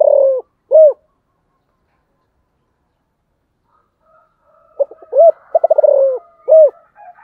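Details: Spotted dove giving low, mellow coos. Two arched notes open the clip, then about three seconds of silence. A stuttering burst of rapid notes follows, with further single arched coos and faint background hum.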